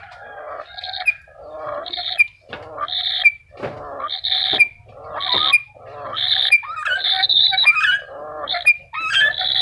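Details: Black-capped lory calling loudly in a steady series of harsh, buzzy screeches, each with a sharp high note, repeated roughly every second over a faint low hum.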